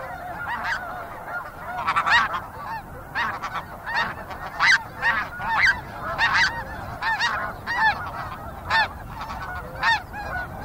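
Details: Snow geese in a fairly busy flock, calling steadily: overlapping nasal honks, many short yelping notes in quick irregular bursts, with occasional sounds of flight and insects in the background.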